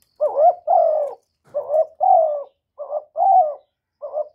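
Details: Kept spotted dove calling and cooing, recorded directly without background noise: a run of about seven burry, mid-pitched coos, short rising notes alternating with longer falling ones, steady and unhurried.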